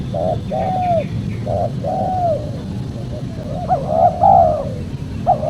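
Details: Spotted dove call recording meant as a lure for trapping wild spotted doves. Soft, mid-pitched coos come in short hoarse notes, then a longer rolling coo phrase near the end, over a steady low rumbling background hum.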